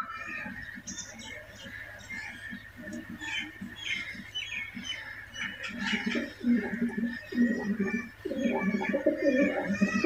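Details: White pet pigeons kept at home, described as in a romantic mood, coo in low, throaty, rolling phrases that grow louder and more continuous toward the end, with a faint higher background hum.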